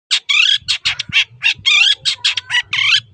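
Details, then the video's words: Long-tailed shrike, known locally as pendet, singing in chatty gacor style: a dense, rapid run of harsh, scratchy and squawking notes with a few clearer whistled tones mixed in, over a faint low hum. "PENDET GACOR"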